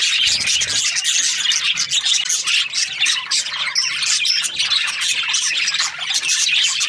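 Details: A crowded chorus of budgerigar breeding pairs: high, buzzy warbling and clipped chirps running nonstop, loud and bright throughout.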